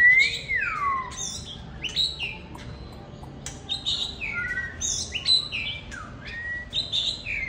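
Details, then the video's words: Black-and-white oriental magpie-robin singing and displaying enthusiastically at a keeper's home, delivering rich varied whistled song: a long downward-sweeping opening note, then quick bright phrases mixing high chirps, slurred whistles and falling notes, with faint clicks between them. "Anh chàng trắng đen say xưa múa hát"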